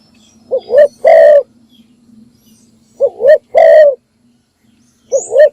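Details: Spotted dove kept as a decoy bird with a good standard voice, giving its morning call to lure and attract wild doves: three groups of deep, hoarse coos, each a short rising double note followed by a longer rolling coo, about two seconds apart.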